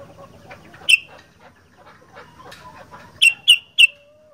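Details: Sooty-headed bulbul in 'gacor fighter' style: one sharp chirp, then a quick run of three bright notes, over faint chattering background sounds.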